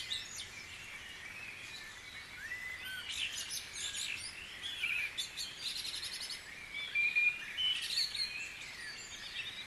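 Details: Dawn chorus at Guisborough: many birds singing together, a dense layer of high chirps, trills and thin whistles overlapping throughout, with louder bursts of song around the middle and near the end over a soft background hiss.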